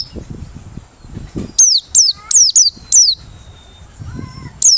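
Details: White-eye of the Merapi 'ngalas' type, singing open-beaked for use as a lure: after soft low background noise, a quick series of five high, falling whistled notes, then a pause and one more note.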